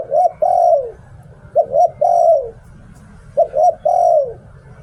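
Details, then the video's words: Spotted dove used as a decoy, singing the "Liu Tan" style. Three repeated phrases, each a clipped double coo then a sustained coo sliding downward, about one phrase every 1.7 seconds. "เสียง "หลิ่วตัน" นกต่อ"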